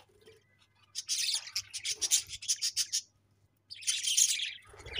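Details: Pet budgies chirp in a quick run of scratchy high pulses for about two seconds, then fall briefly silent before another loud burst of chatter.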